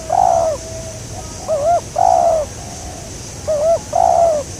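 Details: Spotted dove calling during a trapping session for a local wild bird: two-part coos repeated, a short warbling note leading into a longer falling coo, about every two seconds, in a quiet setting.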